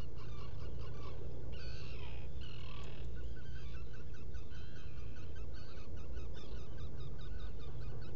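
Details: Nest-burrow recording of black guillemot from a camera on Seal Island NWR, Maine, around 4 a.m. on 20 June 2018. Bursts of harmonic squealing notes, strongest early, then quicker stuttering series, with deep continuous hum throughout.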